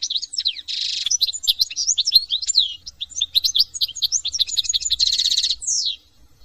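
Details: European goldfinch, a small colourful finch from France, delivering a long, varied song: twittering whistles, two harsh buzzy bursts, liquid slurred notes, and a final downward whistle.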